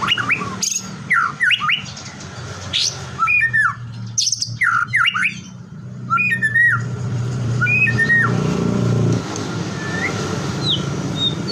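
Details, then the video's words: Song of a white-rumped shama that draws other shamas to sing: loud separated whistles sweeping up and down, short buzzy trills, then quieter scattered notes against a rumbling background. "LANGSUNG TRPANCING GACOR, HITUNGAN DETIK MURAI LAIN AUTO IKUT BUNYI"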